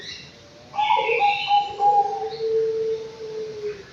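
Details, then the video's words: Young Anggungan, aged five months, in an aviary: a quick run of pulsed cooing notes, then a sustained low tone lasting nearly two seconds, with some higher rasping sounds overhead. "BURUNG ANGGUNGAN USIA 5 BULAN"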